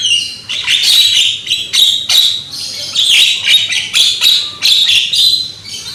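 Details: Young Javan myna with a loud voice, used as a lure to get other mynas singing: harsh, buzzy, scratchy bursts packed close together, with short breaks and no other clear sounds.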